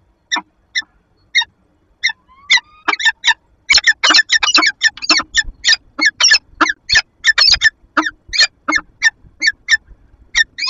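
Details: Peregrine falcon female interacting with her mate inside a Lublin nest box, 15 February 2022, via nest camera: sparse scratchy chips that quicken into a dense, excited rapid series of harsh notes.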